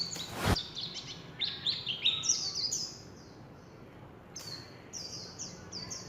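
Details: Warbling white-eye singing in the líu chòe style: a quick run of thin, high, downward-slurred twitters that tumble together. After a short pause come several more sparse high chirps. A sharp click opens the recording.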